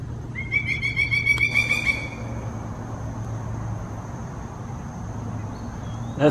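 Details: Pileated woodpecker at Iroquois Park on a warm, humid August morning, just after flying off with a second bird nearby: a rapid run of loud, evenly spaced nasal notes lasting about two seconds, then quiet woodland.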